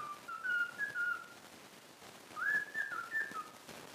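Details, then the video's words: A trained pet cockatiel whistles part of "If You're Happy and You Know It" in two short phrases of clear, slurred notes with small pitch steps. A quiet gap separates the phrases. "COCKATIEL SINGING IF YOU ARE HAPPY AND YOU KNOW IT WHISTLE Cockatiel Sound"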